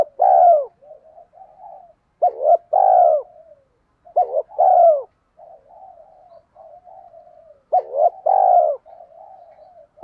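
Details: Spotted dove cooing to lure birds, in four phrases: each opens with a clipped double note, then swells into a strong falling coo and ends in soft, wavering low coos.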